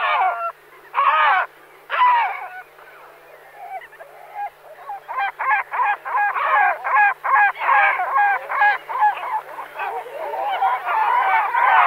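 Great black-backed gull giving deep, hoarse honking calls: two or three drawn-out notes, then a quicker run of short barking notes, over a faint background hiss.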